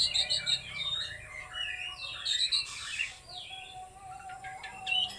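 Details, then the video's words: Oriental magpie-robin singing in a trotol and konslet style at full power: rapid, varied whistled and chattering phrases, sweet notes mixed with harsh bursts and slurred rising and falling slides, in a steady stream with short breaks. "KACER LEPAS TROTOL KONSLET SUARA FULL POWER !!!"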